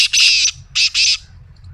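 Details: Black francolin kept as a pet, the call used to get other pet francolins calling: three harsh, grating, buzzy notes, a long rasp followed by two shorter ones, over a faint low hum.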